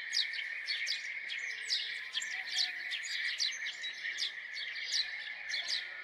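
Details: A lively, rapid stream of house sparrow chirps, short and sharp, repeated several times a second over a constant high-pitched hiss.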